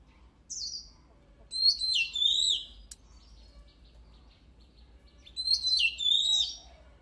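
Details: Energetic oriental magpie-robin song: a brief high whistle, then two loud phrases of sweeping, downward-curving whistles separated by a few seconds of quiet, with a faint click in between.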